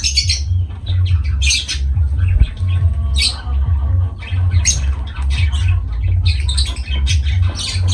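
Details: Lovebird parrots giving loud, piercing screechy squawks in short clustered bursts, some rising and falling, with a constant low-pitched hum underneath.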